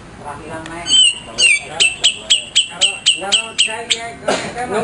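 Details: ['Grey-cheeked bulbul, a favourite master bird for song training: a slurred whistle, then evenly spaced loud, ringing notes about two per second. A person speaks softly underneath.']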